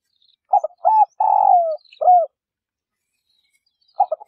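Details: Spotted dove female calling to spur males into cooing; quick stuttered notes lead into a long grating coo and a curved closing note, with the next phrase starting after a pause.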